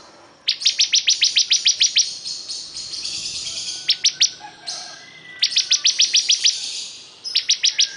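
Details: Bar-winged prinia, called ciblek kristal, in lively song: repeated rapid runs of high, dry ticking notes, roughly three to twelve per run, joined by a continuous thin buzzing trill.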